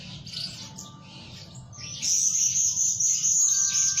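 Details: Blue-crowned hanging parrot used as a lure bird, calling day and night: scattered soft chirps, then a long, piercing, very high whistled trill held steadily for about two seconds over a low background hum.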